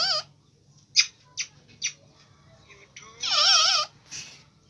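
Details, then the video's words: Indian ringneck parakeet, green, talking: scattered short chirps and clicks, then a loud wavy warbling phrase with buzzy overtones, ending in a brief squeak, over a faint steady hum. "Talking Parrot Video|Green Ringneck Parrot"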